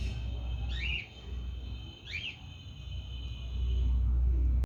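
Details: Two brief, high, upward-sweeping chirps about a second apart from a 48-hour-old cockatiel chick, two inches long, during hand-feeding, over a constant low background hum.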